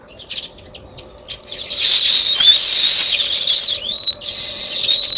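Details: Natural sparrow chirping: a few isolated chirps, then a swelling mass of high chatter, with clear rising whistles cutting through near the end.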